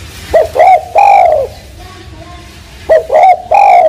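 A spotted dove gives a soft, mellow three-part coo, each note swelling and falling, repeated after a short pause. Faint background hum.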